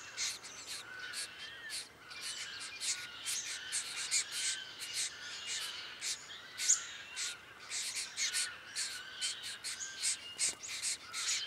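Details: Diamond firetail recorded in Victoria, Australia, in November 2014: a steady run of short, harsh, buzzy notes, each a broad rasping burst, following one another several times a second with brief gaps.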